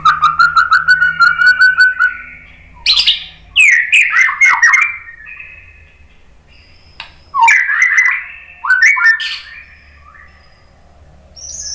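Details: White-rumped shama singing to stir other shamas into song: opens with a fast, evenly pulsed trill, then bursts of sharp, sweeping whistled phrases with long quiet gaps between them.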